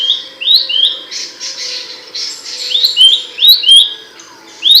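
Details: Abbott's babbler giving a few loud whistled slurs, broken up by harsh, noisy rasping bursts, then more sharp upslurred notes.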